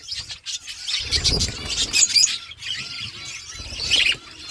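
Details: Budgerigars in an outdoor aviary: high warbling twitters and squeaky chirps from a group, with a brief low rustle near the start.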